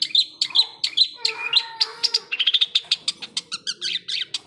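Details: Long-tailed shrike song of high sharp chirps and chattering notes repeated in quick bursts, with a few lower whistled slurs.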